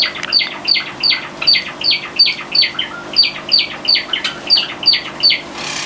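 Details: Seven pet Java sparrows, let out of their cages indoors in February 2009, give bright, clipped chips in a quick run, about three a second, several overlapping. A faint indoor hum and a brief rustle come at the end.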